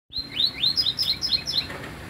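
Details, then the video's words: Double-collared seedeater, described as an unusual singer, giving a fast run of high chirping notes, each sharply slurred up or down, about eight notes in two seconds, with the phrase ending in a buzzier trill. "papa capim diferente"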